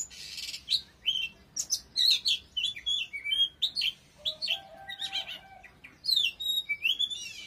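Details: Vigorous Oriental magpie-robin song, a lively sequence of chirps, whistled trills and twisting slurs, with a low steady whistle in the middle and a bright rising flourish near the end.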